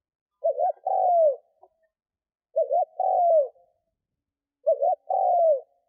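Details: Lure spotted dove cooing to draw in wild doves. Three even phrases come roughly every two seconds, each a short two-part warble and then a drawn-out, downward-sliding coo, against complete silence.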